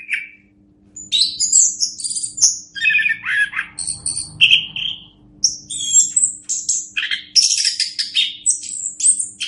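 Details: Master recording of orange-headed thrush song for tutoring other birds, a short lone note then a dense run of varied whistles, chattering trills and harsh mimic-like phrases, continuous and loud.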